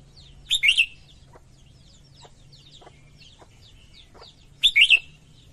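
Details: Singing female red-whiskered bulbul, kept to stimulate males: two loud warbled phrases about four seconds apart, with many faint thin chirps and soft clicks from other birds between them.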